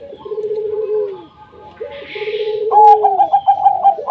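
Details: Local wild zebra dove singing as a lure for lazy doves: two long low trilled coos falling in pitch, followed by a rapid run of higher pulsed notes, with a short rush of noise between.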